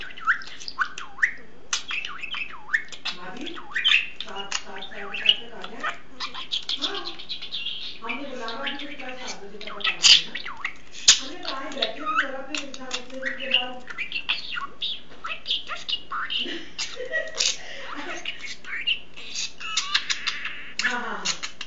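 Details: A male pet budgerigar chatters nonstop, mixing mumbled speech-like phrases with warbles, clicks and squeaky chirps.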